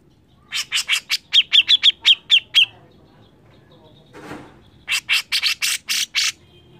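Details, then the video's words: Grey-cheeked bulbul (cucak jenggot) in full song for training songbirds: a rapid string of rasping notes with whistled tips, a short rustle, then another burst of harsh, broad chatter. "cucak jenggot gacor mbeset ngotot"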